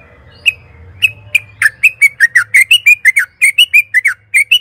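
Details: Lure song of a yellow-vented bulbul for prompting caged birds: a few spaced chirps quicken into a lively string of bubbly, slurred whistles, rising and dipping, roughly a note per quarter second.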